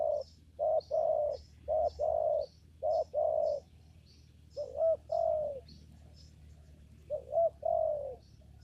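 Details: Spotted dove calling during bird trapping in a papaya garden: short low coos around a steady pitch, then two phrases of quick rising notes leading into a long held coo, with faint high chirps from small birds above.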